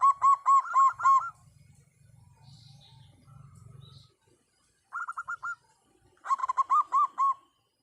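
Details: Local-strain zebra dove singing actively and loudly. It gives a strong run of rapid, evenly spaced coos, then a softer trilled series, then another bubbling loud phrase. A low rumble runs between the calls.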